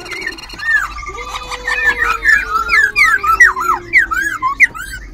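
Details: Black-throated Laughingthrush, a caged, half-tamed wild-caught bird in Ho Chi Minh City, sings while displaying its tail and wings, changing phrases constantly: loud looping whistles and fast rising and falling slurs, with a faint steady hum beneath.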